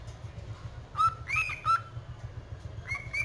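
A cockatiel sings clear whistled notes, some steady and some sliding upward, against a low background hum.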